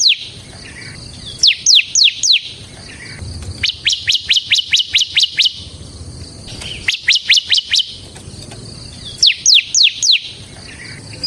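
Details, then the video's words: Caged bar-winged prinia of the semi type, song meant as a lure and tutor for other birds: short bursts of rapid, thin downslurred chirps separated by pauses, the longest run about ten notes. "suara burung CIBLEK SEMI GACOR Ngebren Ampuh untuk Pancingan Ciblek Kristal dan Masteran Ciblek"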